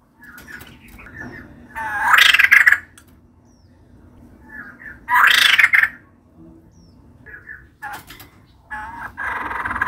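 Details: Singing female white-crested laughingthrush: two loud, harsh, noisy bursts a few seconds apart, with softer scattered notes between and a rasping chatter starting near the end.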